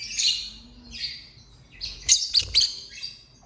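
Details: Lovebird singing and chirping: bursts of high, scratchy, buzzy chirps, with a louder cluster of sharp rapid notes after the midpoint.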